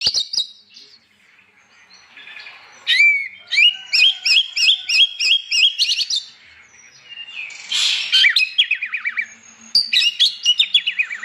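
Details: Oriental magpie-robin singing energetically in the morning in the open ngeplong style, meant to provoke other magpie-robins into singing; loud bursts of high, sweet whistled phrases and rapid repeated chirps, broken by short pauses and a buzzy note.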